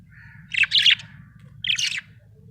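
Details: Happy budgie giving two quick bursts of scratchy, buzzy chirps, the second shorter and higher, with a soft low hum beneath.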